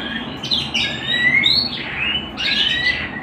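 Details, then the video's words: Home canary singing a few separate phrases: sliding whistles that climb and fall, followed by a short burst of rapid chirps. "canary bird - canary singing - canary sounds - canary singing at home"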